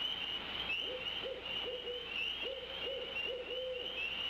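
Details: An unseen owl hooting at night near the Decorah eagle nest in mid-May, around 22:42: a rhythmic run of mid-pitched hoots, about two or three per second, with a few drawn-out notes, over a steady high insect chorus.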